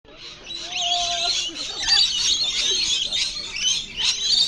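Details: Wild lorikeets at their daily afternoon feeding at Bungalow Bay on Magnetic Island, off Townsville, screech and chatter continuously: many shrill, high, overlapping calls with no pause, plus a brief lower whistle near the start.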